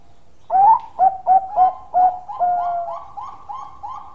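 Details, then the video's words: Bangkok-type zebra dove singing actively in its long song style: five loud, clipped cooing notes at a steady mid pitch, then a drawn-out note and a train of softer, evenly spaced coos fading away. No other sounds. "Perkutut Bangkok Gacor Suara Panjang Istimewa"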